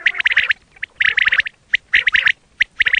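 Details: Quail calls used for hunting, a rapid chatter of bright chirps in tight bursts of several notes, with short pauses between bursts.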